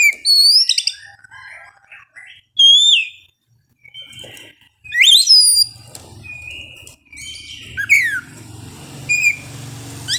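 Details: Oriental magpie-robin at dawn, kept out in the morning dew to avoid over-arousal, sings loud bursts of sharp, bending whistles and quick chattered notes, separated by brief silences, with a low hum in the background.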